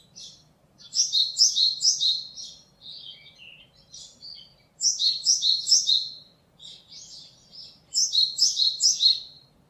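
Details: Japanese tit song recorded on 27 March 2022: three bright bursts of rapidly repeated two-note phrases, each about one and a half seconds long, separated by softer lower chirps; faint steady hum beneath.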